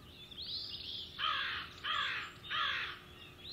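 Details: Hog Island osprey, a male calling for his missing mate in April 2016: soft rising whistles open, followed by three loud, harsh, buzzy calls spaced roughly 0.7 seconds apart over low hiss.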